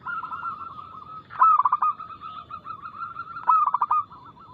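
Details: Loud, crystal-clear song of a local zebra dove, played to stir other doves into singing. Two fast, stuttering coo phrases about two seconds apart rise above a constant chorus of softer dove coos.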